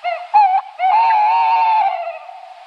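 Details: Tawny owl calling in quick succession: a short hoot, a second brief hoot, then a drawn-out quavering hoot lasting about a second that slowly fades.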